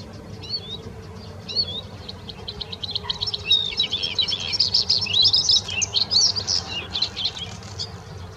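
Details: Bluethroat in song at the Offstein settling ponds, starting with a few rising whistled notes, then building into a dense, fast, high chattering and trilling sequence with buzzy and metallic elements, over a soft low background hum.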